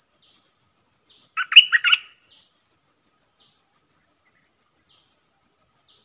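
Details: Short, hurried warble from a decoy streak-eared bulbul used to draw in wild birds, lasting under a second, with a regular high ticking sound running throughout.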